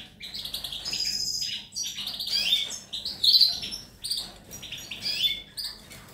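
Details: European goldfinch recorded 19 May 2018, singing a fast tinkling twitter of bright high notes and short buzzy trills in quick bursts, with brief gaps between phrases and a quiet background.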